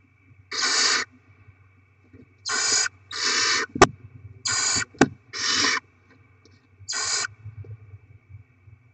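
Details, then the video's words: Barn owls at the nest being fed with delivered rodents, 7 February 2024: six rasping hiss-screeches of under half a second in irregular succession, with sharp clicks and knocks between them over a low hum. "Barn Owl Kangarobin - Płomykówki Syd & Mel - Dostawy gryzoni - Karmienie maluchów"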